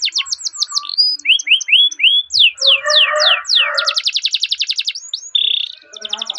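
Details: Canary training song used as a lure for young canaries, featuring long rolling phrases: rapid series of downward-swept whistles, buzzy mid-pitched notes, then fast even trills and a brief steady tone, delivered in quick succession.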